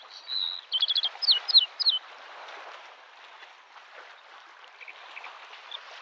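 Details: Bluethroat singing in spring by a lake: a quick burst of sharp, high, doubled notes and short downslurred whistles over about two seconds, then fading into a steady wash of lapping waves.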